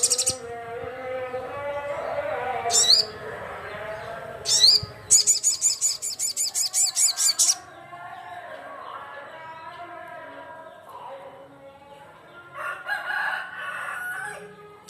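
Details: Crimson sunbird (sogon) calling to rivals: two upswept squeaky notes, then a rapid two-second series of high buzzy trills, followed by a long quieter spell with faint background chatter.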